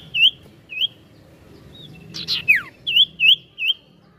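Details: Ashy tailorbird (sirtu) in lively ngetril ngetrol song: clean upslurred whistles spaced about half a second apart, broken by a brief scratchy burst and a falling slur, then three more quick whistles.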